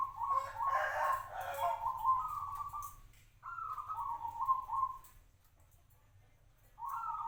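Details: A local zebra dove, kept for five years, gives a cooing song of several tonal phrases. A busy, overlapping start is followed by a falling trilled coo, a pause, and a brief fresh coo at the end.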